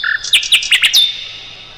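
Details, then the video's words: Brief Mugimaki flycatcher phrase for tutoring songbirds: a low whistle followed by five bright, sharply descending chirps and a final thin, drawn-out whistle. "MASTERAN SIKATAN LONDO"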